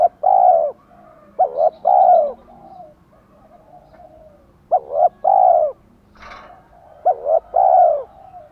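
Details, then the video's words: Spotted dove coos that provoke wild-caught birds to coo persistently. Three phrases, each of two quick notes and a long hollow coo, with a brief rustling noise between the second and third phrase. "Chim cu gáy thúc gù chất giọng gấy ức chế cho bổi rất cao, mở lên bổi gáy liền và dai dẳng"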